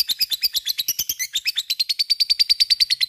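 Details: Ngekek song of a lovebird, used to provoke other lovebirds to join in: an even stream of rapid, shrill pulses that settles into a steady, ringing, high trill toward the end.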